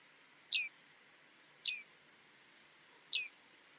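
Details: Bearded reedling (Panurus biarmicus), a reed-bed bird: three short, bright, metallic 'ping' notes, each falling slightly in pitch and spaced about a second and a half apart, over quiet background hiss.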